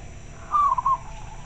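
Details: Clear-voiced local zebra dove replying to another bird: a single brief coo, a slightly falling mid-pitched note split into three beats, with soft background hiss.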